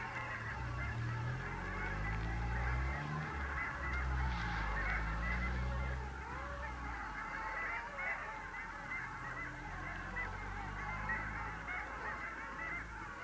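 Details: Wintering long-tailed ducks at the Vistula mouth, 8 February 2013. Many birds give overlapping nasal, wavering calls in a continuous chorus. Low rumbling noise covers the first six seconds, then eases.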